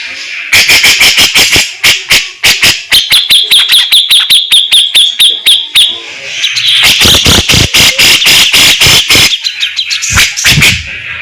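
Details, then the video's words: Caged grey-cheeked bulbul singing loudly: rapid series of sharp clicking notes, then a fast run of repeated high trilled notes, followed by dense loud chattering bursts. "CUCAK JENGGOT GACOR BURUNG ISTIMEWA TEMBAKAN ADU BESETAN SPEED RAPET"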